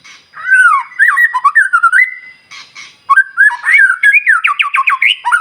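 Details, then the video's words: White-rumped shama song from a bird singing day and night, played to rouse other shamas: varied slurred whistles and a held tone, a brief pause, then rapid rising repeated notes. "murai batu gacor SIANG MALAM GACOR TERUS, Cocok Untuk Memancing Emosi Burung Murai NGELOWO"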